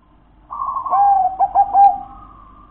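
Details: Local wild zebra dove delivering a clear phrase: a sustained purring note broken by quick staccato hiccup-like coos, then trailing off into a steady soft tone.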